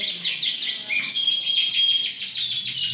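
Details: Large Yorkshire canary, ring 20, singing actively on 28 January 2021; brief cascade of falling notes followed by a thin sustained pure whistle and renewed quick trilling.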